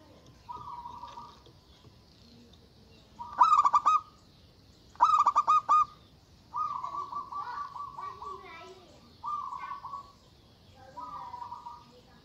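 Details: Local zebra dove giving loud calls meant to provoke rivals: stuttering pulsed bursts followed by rolling cooing phrases, repeated at irregular intervals over a faint background hiss.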